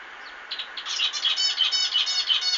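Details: Zebra finch song: after a soft start, a dense chain of nasal, harmonic-rich beeps and buzzy notes runs steadily to the end, several per second.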